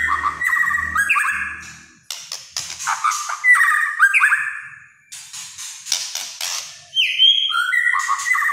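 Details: White-rumped shama singing loudly in repeated bursts of rich whistled phrases, each a run of stepped, sliding notes with rasping, scratchy accents, separated by short pauses; a faint low hum runs beneath the opening phrases.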